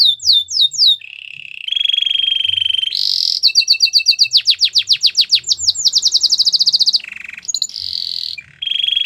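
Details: Belgian canary singing a training song: opens with quick downslurred notes, then steady buzzy rolls, a fast run of sharp repeated chips, and more sustained trills.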